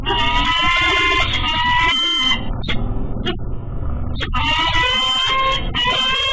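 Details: Peregrine falcon E2 calls from the Pittsburgh nest rail to its mate Dorothy during courtship around 2 PM on March 7, 2014, before the pair bow over the scrape. Long, harsh, nasal wailing calls in two drawn-out bursts over a low city rumble.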